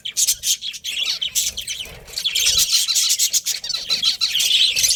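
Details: Budgie chirping forms a busy, unbroken stream of high warbles, squeaks and rapid twitters that builds in density toward the end.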